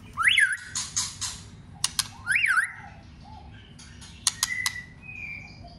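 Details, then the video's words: White-rumped shama trained for contest singing: two loud rising-then-falling whistled phrases about two seconds apart, with dry clicking bursts between them and a short sustained whistle near the end. "luyện chòe Lửa hót đấu"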